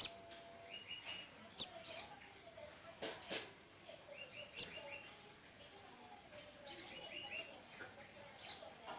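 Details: Hand-reared olive-backed sunbird chick, about 21 days after hatching, now feeding itself on condensed milk and ant eggs. It gives sharp, very high, thin chips at irregular intervals, with soft lower twittering, clicks and handling noises between them.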